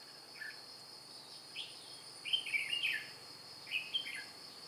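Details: Red-whiskered bulbul, a white-cheeked decoy bird used for trapping wild bulbuls, flapping wings and tail like an older bird, 2 July 2018: two short bursts of warbled, chattering notes over a steady high insect drone.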